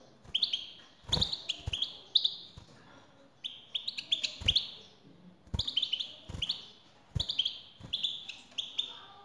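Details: European goldfinch, a female's call used to prompt a male to sing: bright, high twittering phrases in short bursts, repeated roughly every second or two, with sharp knocking clicks between them.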